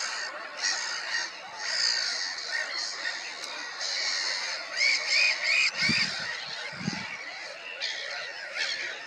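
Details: Black-headed gulls calling together: a dense, continuous chorus of harsh, overlapping squawks with bright upper harmonics, a few higher squealing notes near the middle, and two brief low thumps or bumps partway through.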